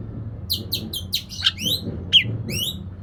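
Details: Lure song of an Oriental magpie-robin meant to prompt another bird to sing: a quick series of sharp, sweeping chirps repeated in rapid succession, with ringing harmonic notes and a low background hum.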